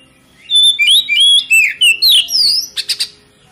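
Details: Oriental magpie-robin (kacer) lure song intended to make other kacer sing their full repertoire. Rapid loud whistled phrases swoop up and down, roughly three per second, ending with three short harsh buzzy notes.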